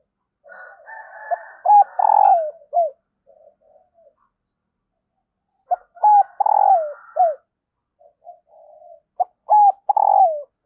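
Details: Female spotted dove giving calls meant to set males cooing: two phrases of low hooting coos, each a quick run of short notes into a longer falling coo, separated by a pause with faint murmuring.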